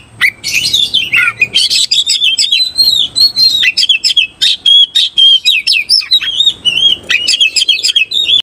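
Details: Oriental magpie-robin looking for a rival to fight, pouring out a continuous loud song of bright whistles, quick slurred notes and chattering flourishes with barely any gaps.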